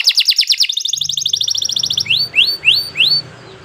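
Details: Canary master song for training: a fast pulsing trill slides into a quicker, finer rattle, followed by four rising-then-levelling whistled notes spaced about a third of a second apart over a low hum.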